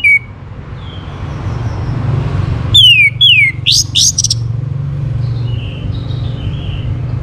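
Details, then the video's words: Orange-headed thrush singing as a lure for other birds to join in. Brief whistles are followed by two falling whistled slurs and a buzzy rattled flurry, with soft distant chirps and low background hum. "KICAUAN ANIS MERAH UNTUK PANCINGAN AGAR BURUNG IKUT BERKICAU"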